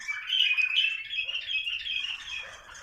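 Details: Loud, rich warbling from bulbuls being stimulated to mate, an unbroken run of whistled, bubbly notes lasting nearly three seconds and fading slightly at the close.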